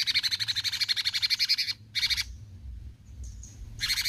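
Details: Rapid, harsh, pulsing besetan song of a cucak cungkok bulbul, a long fast series, then a short burst, faint high whistles, and another burst starting at the end.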